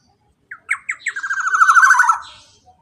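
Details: Black-naped oriole, male, giving a long rapid 'ropel' trill used to prompt quiet birds to sing: three or four separate harsh notes, then a fast buzzy rattle that builds in loudness and slides slightly downward before fading.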